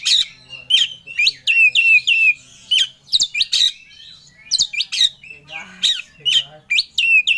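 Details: Caged Oriental magpie-robin in full emotion, seeking a rival: rapid series of sharp, loud chirps with steep downward sweeps, repeated several times per second in energetic bursts.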